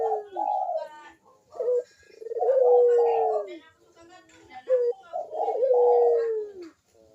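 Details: Barbary dove lure coo, used to prompt other doves to sing: repeated phrases of a brief rough note, then a drawn-out falling, throaty tone, about three phrases across the recording in a quiet setting.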